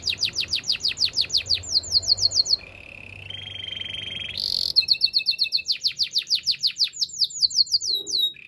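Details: Canary singing for training: rapid strings of falling whistled notes, a pause for a buzzy, rising held tone, then more quick repeated notes at a steady, brisk rhythm over faint low background hum.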